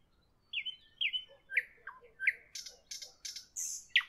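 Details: Evening song of a nightingale with spaced whistled notes, some rising and some falling, followed by harsh broad churring strokes delivered about twice a second.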